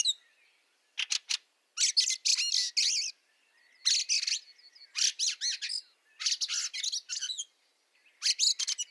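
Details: Fieldfare in snow, Liepāja, Latvia, March 2023: grating chack-and-squawk phrases repeat every second or so in compact clusters, sharp and clear against a quiet background.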